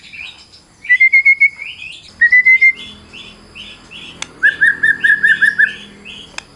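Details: White-rumped shama in varied, fighting-style song: a run of five clear repeated whistled notes, a second shorter whistled run, then six more even whistled notes over soft chirps and background hiss.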